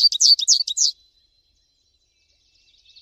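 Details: High, rapid twittering from a singing American goldfinch: about one second of bright, slurred chirps in quick succession, fading into near silence with faint distant twitters at the end.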